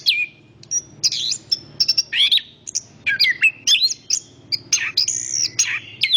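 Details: Song of the chestnut-capped thrush (Zoothera interpres): long whistled opening note, then busy varied phrases of rising and falling whistles and buzzy chirps, over a steady low background rumble.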